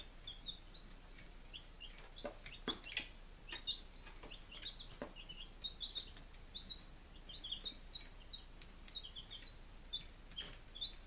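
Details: Baby chickens on their fifth day, a kept brood in Lunenburg, Massachusetts, on 23 July 2017, keep up a busy stream of shrill, overlapping peeps and short downslurred cheeps, several chicks calling at once over faint low rumbling.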